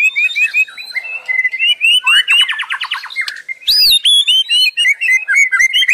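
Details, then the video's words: A white-rumped shama in unbroken song: steady chirped notes, a fast buzzy trill of repeated slides, then loud ringing whistles and quick repeated twittering to the end. "Suara Burung Murai tiada henti"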